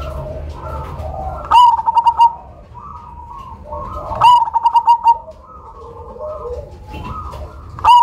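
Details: Loud Cemani zebra dove used as a lure repeats its coo three times, each a clipped opening note and a fast string of pulsed coos, while softer doves coo between phrases.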